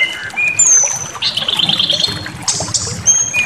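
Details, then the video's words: Brown-chested jungle flycatcher provocation song, used to stir birds to rage and unload their repertoire: sparse high thin whistles, a buzzy trilled phrase in the middle, and sharp rising notes near the end over faint low rumble. "Pancingan Emosi SRDC Awas Ikut Ngamuk Bongkar Materi"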